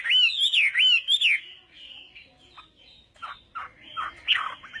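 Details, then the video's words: Chinese hwamei practising its song in the morning: bright looping whistled warbles at first, then softer scratchy, broken notes. "hoạ mi hót sáng luyện giọng"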